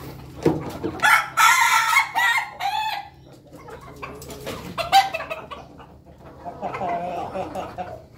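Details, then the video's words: Ayam Ketawa chickens, a flock feeding together in a coop: a loud harmonic crow lasting about two seconds, a shorter broken phrase near five seconds, then a wavering crow at the end, with soft clucks and scratching between calls. "ayam ketawa ayam pada makan berkelompok di kandang"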